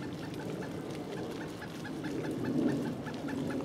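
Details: Pileated Woodpecker in Duke Island Park, January 25, 2011 (winter), gives a steady series of short, clear notes, about four a second, over a low background rumble.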